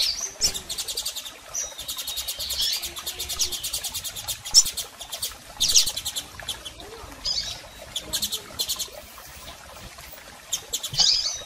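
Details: Male and female double-collared seedeaters calling to stir a male into singing: dense bursts of rapid buzzy ticking, high squeaky chips scattered through, and faint background rustle.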